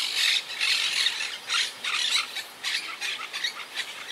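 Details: Wild Monk (Quaker) parakeets squawk from a colony high in trees, a colony regrouping after losing about half its birds to Hurricane Irma in 2017: harsh, grating, high chatter in overlapping bursts every half second or so, several birds calling, non-alarm calls.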